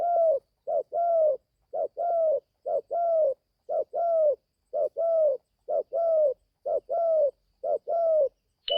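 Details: Young spotted dove newly starting to coo, taken to the forest for training for the first time; a clear, steady run of paired coos, a short note then a longer slurred one, about once per second, in a quiet setting.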